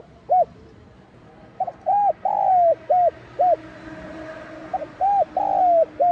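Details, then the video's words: A spotted dove gives calling and urging coos, soft, hollow single and doubled notes about twice a second in uneven bursts, over a faint background hiss; used to stimulate other doves to coo. "Tiếng Cu Gáy GIỌNG SON [ GÁY GỌI - THÚC ]"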